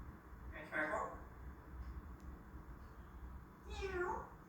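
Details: A pet African grey parrot asking for a head scratch gives two mimicked cat meows, the first near one second, the second a falling, nasal meow at four seconds, over low room hum.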